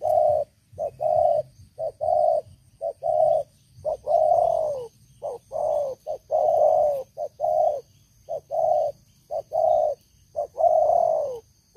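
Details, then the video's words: Spotted dove, an old decoy bird used for luring, with a loud voice, giving repeated low hoarse coos in pairs, a short note then a longer falling one, about once a second, with faint background hum. "Terkukur Pikat Lama, Selalu ok Suara besar"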